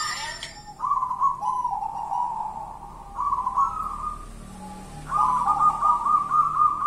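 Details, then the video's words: 'Kuntilanak' zebra dove from local wild stock gives long rolling, trilled coos in three phrases, the last rising slightly in pitch, with a quiet background. "Perkutut kuntilanak"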